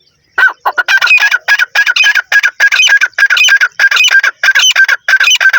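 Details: Grey francolin calling in a jungle: loud, harsh, strongly harmonic notes in a rapid, unbroken series after a brief silent start, the bursts repeating more than once per second with a ringing, strident quality.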